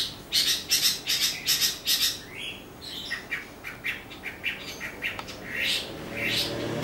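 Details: Greater green leafbird, a popular cage bird; bright series of sharp chirping notes repeated about twice a second, then varied upward-sweeping whistled phrases, with a person speaking Thai faintly.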